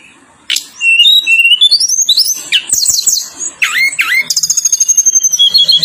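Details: Tledekan gunung lure song for setting other birds singing: soft background, then clear rising whistles climbing in steps, sharp up-and-down slurs, and a fast rattling trill of repeated notes near the end.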